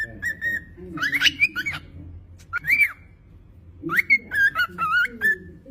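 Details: Cockatiel singing: a string of clear whistled notes that slide up and down, some held and wavering, with a faint low hum underneath.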